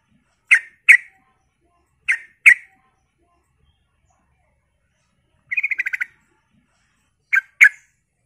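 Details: A lively Sooty-headed bulbul used to lure others into answering: three clean pairs of sharp chirps spread over several seconds, with a quick pulsed rattle of about seven beats between them. The background is silent.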